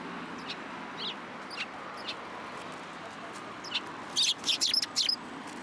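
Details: Sparrows coming to take food from a hand at a Tenmangu shrine, recorded 12 December 2022: faint scattered high chirps at first, then a burst of rapid, sharp, high-pitched chirps near the end over a low background hum.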